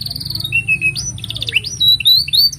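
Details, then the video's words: Canary song for tutoring young canaries and encouraging non-singing ones; a short chattering trill leads into wavering whistled notes, rising and falling slurs and brief rolls. "Kenari Gacor Panjang Ini Bagus Untuk Masteran Kenari Paud Dan Pancingan Kenari Bisu"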